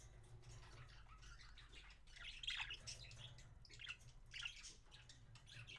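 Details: Feeding between two parakeets, recorded January 26, 2017. Soft scratchy chatter builds to a loud squawking burst partway through, then further raspy chirps follow in short spurts over a low hum.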